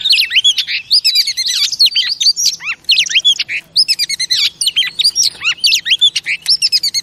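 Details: Loud, rapid warbling from a female oriental magpie-robin, used to rouse male pet birds; rolling slurred whistles and sharp chips run almost nonstop, a few deeper downward swoops mixed in.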